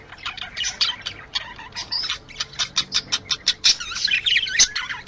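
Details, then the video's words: Budgerigars calling to bring birds into breeding condition: quick, regular twittering notes repeated several times a second, rising into a rougher, louder warble near the end. "Muhabbet Kuşu Kızıştırma Sesleri"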